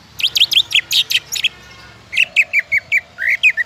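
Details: Song of a greater green leafbird meant to set other leafbirds singing: high, buzzy notes sweeping up and down in a quick cluster, a short gap, then a row of clear, downslurred chirps.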